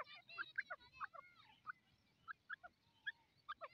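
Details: Grey francolin, the Dakni teetar, calling: a quick burst of sharp, clear notes at the start, then single piping notes spaced about every half second, with a soft drawn-out whistle between them.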